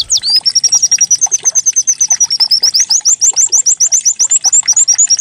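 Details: Canary-like white-eye lure song meant to get the bird singing: after an opening high swoop, a long, even run of sharp, high chirps repeated several times a second, rising slightly toward the end.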